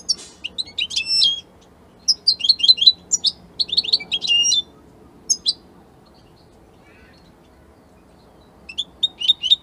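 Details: Italian European goldfinch song in bursts: lively, high, jangling twitters and trills for about four seconds, a long pause with near silence, then the tinkling phrases start again.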